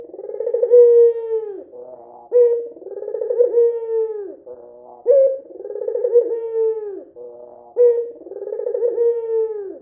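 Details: Lure recording of an active white Barbary dove with red eyes, meant to get other doves calling: four throaty, rolling coos, each sliding down at the end, repeated steadily every two to three seconds.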